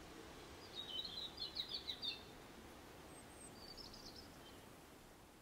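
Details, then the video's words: Aggressive song from a robin in an English nature garden: a quick run of about six high, sharp notes, then a fainter short twittering phrase, over a constant low hiss. "Aggressive Robin Song"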